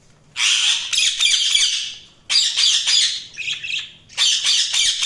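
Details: Budgies chattering in long, rasping, buzzy bursts of squawking, each lasting one to two seconds, separated by brief pauses, loud and close.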